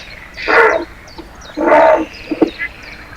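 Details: Grey heron giving two harsh, hoarse croaks about a second apart, each low and rasping, heard over water, with faint thin chirps of small birds behind.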